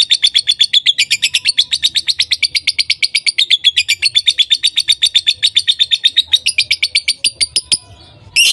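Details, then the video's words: Lovebirds voicing nonstop: fast, even chattering of high buzzy notes, about four per second, ending with a brief harsh squawk. "Love Birds Sounds ||5 minutes non stop voicing"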